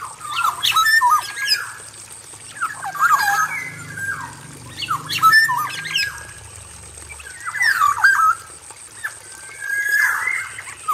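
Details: Male black-naped oriole in an aviary, singing as a lure to prompt other birds: loud fluty, slurred whistles with harsh squawky notes, phrases in bursts every few seconds, a steady high electrical whine and faint low hum behind.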